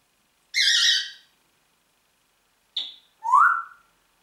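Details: Talking Congo grey parrot, a pet, giving a harsh broad squawk, then a short high note and a rising whistle after a pause.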